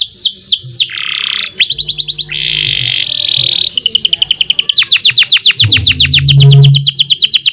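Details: Canary in full gacor song with ngerek, ngerol and nembak phrases, used to tutor and prompt other birds: quick sweeps, sustained buzzy steady tones, then long runs of rapid repeated high notes.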